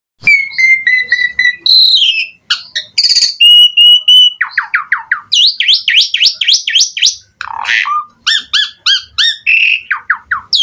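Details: Asian pied starling in lively, constant song full of varied phrases: steady whistles, then rapid rising and falling notes and quick squeaky runs, packed tightly with brief gaps.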